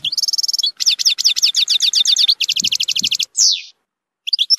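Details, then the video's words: Zilzal-style European goldfinch song meant for teaching young birds, rich in strong nahrat: rapid buzzy trills of repeated notes, then a clear descending whistle, a short gap and further twitters. "تغريد زلزال للتسميع صغار الحسون ،يحتوي على نهرات قوية"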